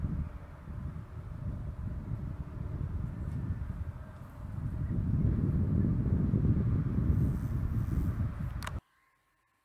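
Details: Steady low rumble of wind or passing traffic in the Australian bush, swelling midway, then cutting abruptly to near silence.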